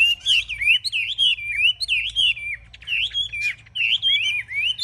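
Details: Chinese hwamei kept in a cage, displaying with wings raised high and tail spread and called a fierce fighter. It sings loud, clear whistled phrases of looping, up-and-down slurs, repeated about once a second.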